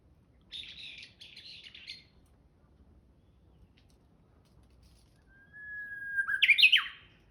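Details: Japanese bush warbler recorded on 26 March 2021. A few buzzy chattering notes come first, then a pause, then one full song: a drawn-out even whistle followed by a loud, quick twisting flourish.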